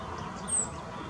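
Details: A male rock bunting holding a grasshopper in the Moselle valley at Valwig gives one thin, very high, short 'zip' call, sharp and slightly falling, over a steady low rumble of outdoor background noise.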